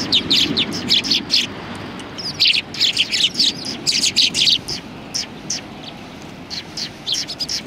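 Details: A flock of sparrows perched on a shrine bench at Tenmangu, 21 January 2020, chatters in rapid runs of piercing chirps, several birds calling over one another in loud clustered bursts.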